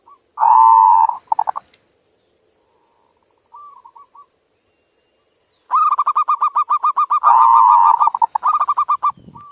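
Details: Local zebra dove (perkutut) singing manggung, used mornings and evenings as bait for other doves. A humming coo with stutters and a pause give way to a long run of quick rhythmic coos about four per second. A steady high whine continues.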